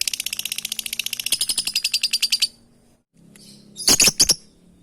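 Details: Lovebird calling companions: a rapid rattling chatter of evenly pulsed notes for over two seconds, a pause, then a tight cluster of shrill screeches, with a low hum underneath.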